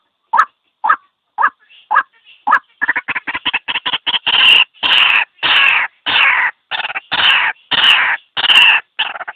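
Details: White-breasted waterhen call used to lure birds into a trap. Short croaks speed up into a rapid stutter, then give way to longer, louder, harsher notes repeated in an uneven series.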